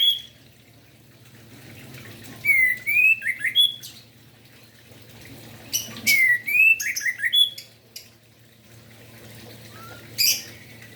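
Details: Orange-headed thrush song in the morning, aimed at getting other orange-headed thrushes to sing; two clusters of clear whistled slurs mixed with sharp, scratchy high notes, spaced several seconds apart, then a lone short note near the end.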